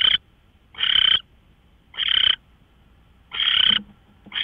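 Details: Owl at 5:27 AM on 24 March 2013 giving harsh, wheezy hisses of up to half a second, four to five in quick succession with irregular gaps of around one second.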